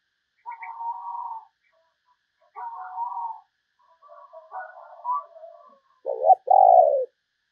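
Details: Spotted dove used as a decoy to lure other doves, giving soft drawn-out cooing notes, then a louder, low two-part coo at the end with a longer falling second note.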